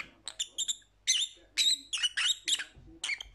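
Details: Lovebirds chattering: quick clusters of high squeaky chirps, then longer harsh twittering notes with wavering pitch, irregularly spaced over a few seconds.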